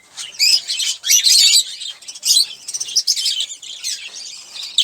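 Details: Olive-throated parakeet at its sunflower seeds, uttering loud raspy squawks and chirpy chatter in quick clustered bursts, ending on a sharp final note.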